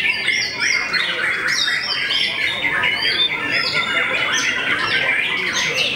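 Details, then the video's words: Well-known white-rumped shama said to make many rivals back down, repeating short looping whistles and sharp chattering phrases in a dense, uninterrupted song. "MURAI YANG TERKENAL BIKIN NGLOWO BANYAK MUSUHNYA"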